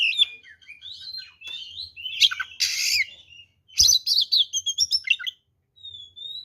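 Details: Oriental magpie-robin in full fighting song, meant to rile rival birds: sliding high whistles, buzzy rasping bursts and quick chattering notes, with a thin level whistle near the end.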